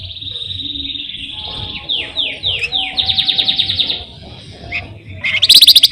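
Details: Flamboyan rolling song, used as a lure for songbirds: a held whistle, then a run of descending slurred notes, a rapid evenly pulsed trill, and a loud buzzy burst at the end.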